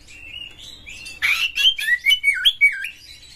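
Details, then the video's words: Oriental magpie-robin in full, rough-toned song, played to prompt other magpie-robins to sing and open their tails: thin whistles, then a burst of harsh noisy notes and a quick run of bright, falling whistled phrases. "pancingan KACER Gacor buat Master KACER Buka Ekor KONSLET bongkar FULL MATERI KASAR agar Kacer Gacor"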